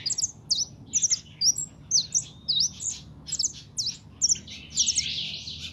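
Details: European goldfinch, a young pintón bird belonging to its owner, singing a fast stream of bright, high tinkling and twittering notes mixed with short buzzy and rising slurs, almost continuous, over a faint low hum.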